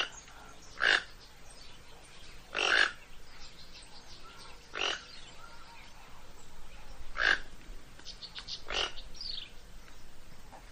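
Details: Toco toucan giving five short, harsh, rasping croaks spaced one to two and a half seconds apart, with fainter scratchy notes in between against a quiet background.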